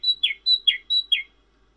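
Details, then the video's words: Cinereous tit in active, melodious song: a clear two-note phrase, a steady high whistle dropping into a lower slurred note, repeated three times in quick succession, with no other sounds. "Suara Glatik Wingko Merdu dan Bening"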